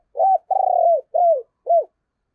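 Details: Spotted dove used as a decoy, singing in the 'giọng thổ' style: one full coo phrase of four hollow notes. The long second note quavers, and the later ones arch and fall, in quiet surroundings.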